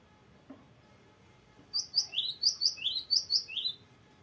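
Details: Persistent singer, a cinereous tit delivering its long, varied rolling song for tutoring or stimulating other birds: after a faint knock, a steady string of high whistles paired with lower falling notes, about two per second.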